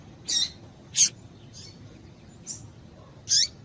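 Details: Female double-collared seedeater call meant to warm up males: scattered thin, high chips of varying loudness, some with a downslurred tail, over steady faint room noise.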